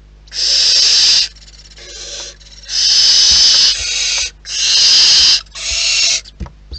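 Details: Loud, drawn-out hissing screams from wild barn owls at their nest, three or four long rasping bursts over about seven seconds, with quieter hisses between and a few brief clicks at the end.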